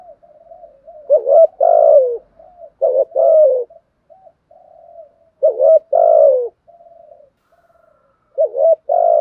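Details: Spotted dove in the 'thúc' with 'gù' style: quiet humming notes weave between four deep phrases of a quavering coo and a longer descending coo, with gaps of one to two seconds.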